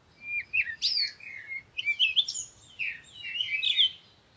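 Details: Parakeet giving a fast, continuous run of squeaky chirps and swooping warbled notes, with several quick rising and falling twitters packed together.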